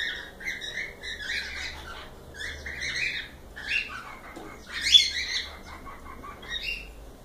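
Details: Several pet cockatiels calling: bursts of harsh chirps and brief whistles, irregular and overlapping, with one louder squawk near the middle.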